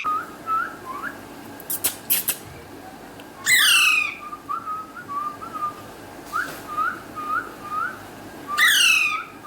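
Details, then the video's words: Alexandrine parakeet talking in Urdu/Hindi: a series of short, soft, upslurred whistled notes in runs of three or four, broken by two loud, harsh, ringing screeches and a couple of sharp clicks. "Alexandrine Parrot Natural Voice"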